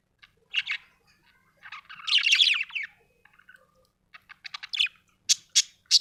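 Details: Happy budgerigar chirping: a few single chirps, then a dense scratchy warble, followed by quick twitters and three loud sharp chirps evenly spaced.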